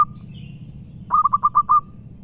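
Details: {'caption': 'Zebra dove, a local bird in Indonesia, giving a loud song: one short cooing note, a pause, then a quick run of about six soft, rounded coos. Low background hum throughout.'}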